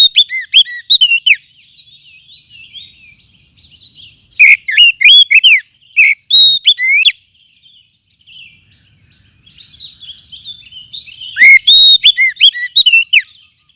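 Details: Forest oriental magpie-robin lure sound meant for training other birds. Three loud bursts of fast whistles, slurred rising notes and chips recur every four to five seconds, with soft twittering chatter filling the gaps.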